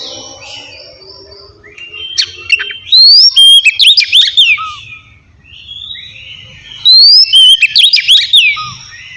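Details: Kacer (oriental magpie-robin) singing relaxed ngeplong phrases to provoke idle kacer into song: soft lower notes lead into two ringing outbursts of rising whistles and fast chatter, spaced about four seconds apart.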